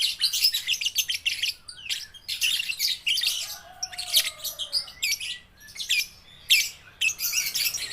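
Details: Baby lovebirds practising their voice give long stretches of shrill, scratchy twittering. The sound breaks into repeated bursts with brief silences between.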